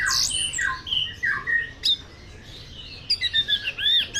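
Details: Caged champion orange-headed thrush in Tasikmalaya, Indonesia, opens with a harsh burst and falling whistles, pauses, then gives a fast series of rising, ringing notes, about three per second.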